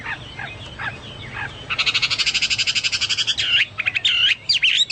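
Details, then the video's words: Chinese hwamei singing actively, likened to cucak Papua or cucak mas. After faint notes comes a fast, rattling trill of rapidly repeated pulses, then a few loud, swooping whistled notes. "burung hoa mi seperti cucak Papua atau cucak mas gacor"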